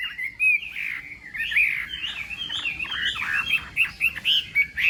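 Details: Chinese hwamei morning contest song: a dense, somewhat muffled stream of warbled and slurred notes, ending in a few louder emphatic whistled phrases.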